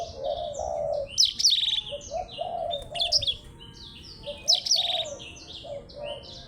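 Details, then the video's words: Blackthroat in a song duel with a Java sparrow: quick high twittering with bright buzzy trill bursts recurring about every three seconds, over gentle low warbled notes. "BLACKTHROAT VS BURUNG GLATIK BELONG"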